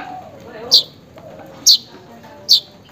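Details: Weaver calling to a rival or mate: three sharp, high chirps about a second apart over a faint background murmur; used as a lure for a weaver that has stopped calling.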